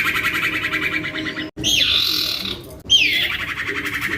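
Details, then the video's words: Young kept common iora (cipoh or sirtu) singing intensely, used as a lure to prompt silent iora to sing: fast buzzy trills around the upper-middle range, broken by abrupt cuts and sharp downward-sweeping whistled notes. "Anakan Cipoh Atau Sirtu Gacor Abis !!! MENTAL TEMPUR!!! ( PANCINGAN CIPOH AMPUH )"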